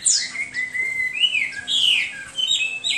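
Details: Hwamei singing a rich whistled phrase: a high opening note, then long even whistles and rising, falling slurs, clear and loud.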